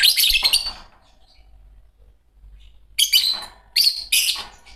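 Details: A green pair of Fischer's lovebirds singing and chirping: a shrill burst of harsh, squeaky chirps, a quiet gap of about two seconds, then three more loud scratchy chirp bursts close together.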